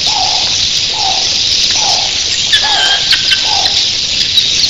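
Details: Red-billed queleas, a huge early-morning flock, fill the air with a seething high-pitched twittering. A dove's low coo repeats five times in the background.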